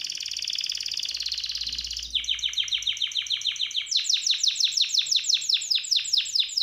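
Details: Canary song: a high, dense buzzy roll held for two seconds, then a run of quick, rolling downward-sweeping notes that grows louder and faster toward the end.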